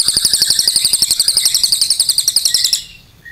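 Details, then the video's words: A lively cililin delivers a clear, long, rapid trill. Dense, evenly spaced, piercing notes run for nearly three seconds, then stop abruptly. "CILILIN GACOR NEMBAK PANJANG SUARA JERNIH"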